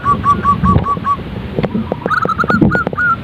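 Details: Zebra dove calling: a run of short, clipped cooing notes at an even pitch, then a second burst of slightly higher, quick rolling coos, over low rumbling background noise and scattered clicks.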